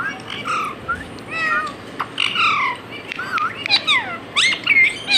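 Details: Pet parrot talking, copying words and a cat's meow, in loud harmonic slurred syllables, falling whistles and clipped squawks that come in short irregular bursts.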